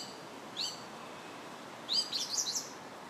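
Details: A song thrush (Turdus philomelos) sings on July 8th: a single high note, then about a second later a quick cluster of bright, varied whistled notes over a soft steady hiss.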